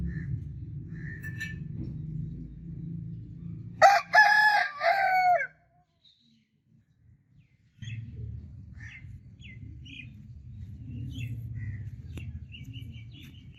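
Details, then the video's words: Crowing rooster, one loud ragged cock-a-doodle-doo of a few syllables rising out of a low background rumble, followed by a brief silence and scattered faint chirps of small birds. "Rooster Crowing Sound Effect Continuously"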